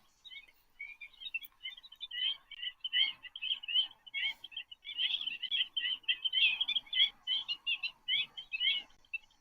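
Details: Black-winged stilts in a large group at an African waterhole, a call given when many birds are together amid squabbling: a dense, busy chorus of sharp, yapping notes in quick irregular overlapping bursts.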